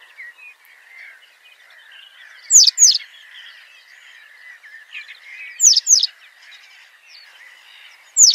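Citrine wagtail singing: loud, sharp high notes in quick pairs, repeated about every three seconds, over faint continuous twittering from other birds.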